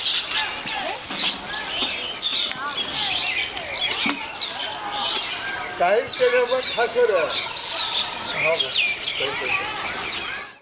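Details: Chestnut-tailed starlings, subspecies nemoricola, recorded in China: dense bursts of squeaky, twittering calls and thin whistles, joined midway by a run of lower, rapid, slurred notes.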